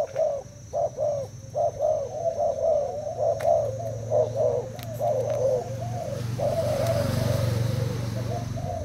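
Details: Caged Thai spotted dove in a cooing duel with a decoy bird after two days in the cage; rapid runs of short mellow coos, many per second at times, over a steady low hum and background noise.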